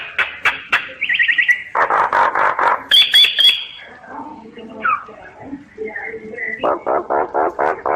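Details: Common myna singing: a jumble of harsh chattering notes, a quick rattled trill, a brief high whistle, then a closing run of rapid throaty chucks repeated several times a second.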